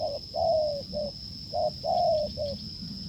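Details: A wild spotted dove met during a failed decoy test, cooing strongly: two low three-part phrases, each a short note, a longer falling note, then a short note, with a steady high electrical-like whine throughout.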